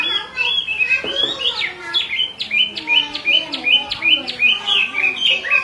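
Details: Caged female Chinese hwamei calling over and over near an agitated male: a quick run of sharp, evenly repeated high notes, roughly three per second, over softer low murmuring.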